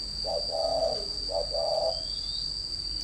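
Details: Spotted dove decoy bird from Ba Vì, Hanoi, Vietnam, in a thổ and còi exchange: two drawn-out, mellow coo phrases, each a short note followed by a longer one, against a constant thin whine.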